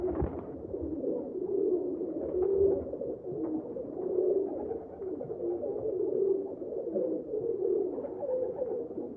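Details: Pigeons cooing in a steady, low, throaty murmur of rolling coos that overlap and swell, with no pauses. A brief sharp knock comes at the very start.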